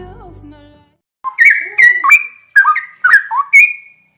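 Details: Straw-headed bulbul (cucak rowo) calling: loud, rich, bubbly whistled phrases in quick bursts, with rising and falling slurred notes and one long, clear sustained whistle near the end. A brief low murmur comes before the bird starts.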